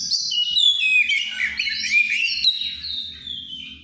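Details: Songbird said to be in heightened breeding condition, singing loudly and freely: a continuous rich stream of high, fast-changing whistles and sliding notes with a steady low hum underneath.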